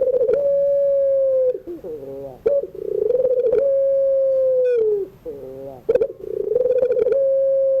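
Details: Afternoon song of a Barbary dove of the puter pelung type, used to train young songbirds. Drawn-out level coos lasting over a second each are broken by lower wavering, gurgling notes and quick stuttered bursts.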